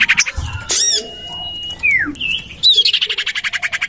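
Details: Common iora lure recording, tested in a garden beside a house: a chattering buzzy trill, a steady high whistled note, a falling slurred whistle, then a rapid rhythmic series of harsh notes, with other bird squawks mixed in.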